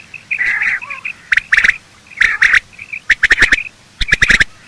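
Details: Morning calls of male and female quail, used to hunt them: a rough chattering phrase followed by groups of three to five sharp, rapid clicking notes.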